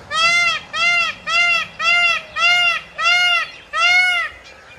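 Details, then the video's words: Peacock screaming: seven loud, ringing, arched nasal cries in a steady series, roughly one every two-thirds of a second, each rich and brassy, with faint background noise. "Peacock screaming"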